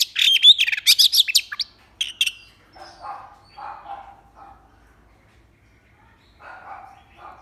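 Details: Oriental magpie-robin in an early-morning song contest, 9 January 2021: a burst of dense, bright chirps and whistles for about two seconds, then quiet, with faint lower murmuring sounds in the background.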